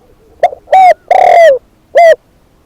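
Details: Spotted dove kept as a decoy bird, giving one loud cooing phrase: a brief soft coo, a fuller coo, a long drawn note that slides downward, then a final short coo, with near silence around it.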